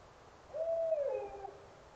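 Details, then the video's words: At night near a garden, a viewer identified a barred owl: one drawn-out, hollow hooting note about a second long, holding steady then sliding down at the end, over a quiet background. "The howling noise at the end of that clip at 44:26 was a barred owl!"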